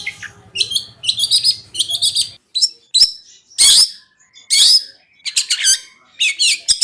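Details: Long-tailed shrike (cendet) training song in the konslet style: short chattering phrases, then loud, harsh, explosive rasps separated by brief pauses, over a low hum at the start.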